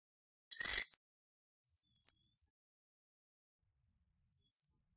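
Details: Bohemian waxwing giving very high, thin, sibilant notes, a doubled call then a single one after a pause, preceded by a short burst of harsh broadband noise.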